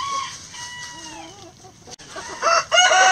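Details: Backyard chickens foraging through pine needles and leaves for bugs, worms and pecans: soft, drawn-out hen clucks and murmurs, then a loud harsh rooster crow bursting in near the end.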